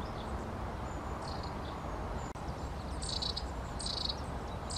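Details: Long-tailed tit calling with faint, thin, high notes followed by a few louder buzzy bursts in the second half, over constant low background hiss.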